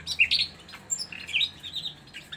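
A nightingale gives a quick run of high, scratchy chirps and squeaky whistled notes in short bursts, recorded close up in a small quiet room.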